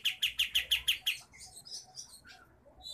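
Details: A sooty-headed bulbul from Pangkalan Jambu, Merangin, Jambi, Sumatra gives a fast, tight roll of seven bright, even notes, about six a second, then a looser run of higher chirps and squeaks.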